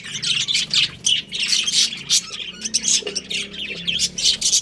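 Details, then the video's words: Budgies, a breeding pair, chirping steadily; dense overlapping scratchy notes and squawks in quick bursts, several per second. "Adorable Budgies Chirping Sounds"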